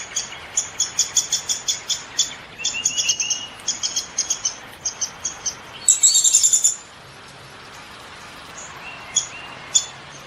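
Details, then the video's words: Downy woodpecker calling: a quick run of short, sharp, high notes, then clusters of similar notes after a pause, ending in a brief dense burst and a few scattered notes over quiet background. "SOUND OF A DOWNY WOODPECKER"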